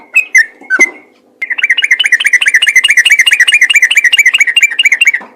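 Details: Yellow-vented bulbul in fast 'ropel' song intended to start other bulbuls singing: a few loose whistled notes, a short gap, then a sustained rapid chatter of repeated bright notes lasting about four seconds.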